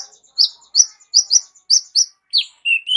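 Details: Kolibri ninja sunbird with a rich, complete song, used to tutor other birds. Loud, high, slurred chirps come in pairs, ending in lower rising whistled notes.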